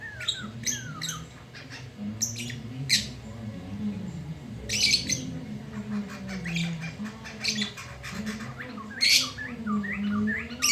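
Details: Very loud black-throated laughingthrush at midday, used as training song for young birds. Harsh squawking bursts alternate with short whistled slurs at irregular intervals, with a constant low hum beneath.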